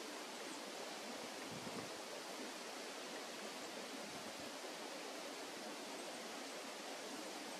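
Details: Only the steady roar of running water in a forest at a national arboretum, broad and unbroken throughout.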